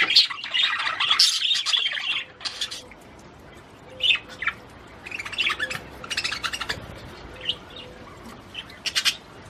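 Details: Australian budgies warbling to prompt breeding: a loud opening burst of squawky chatter, then scattered short chirps and squeaks separated by quiet gaps.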